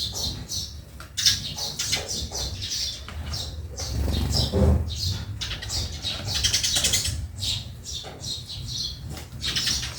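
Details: Busy backyard sparrow chatter: dense, overlapping high chirps run almost continuously for ten seconds, with soft low rumbling underneath.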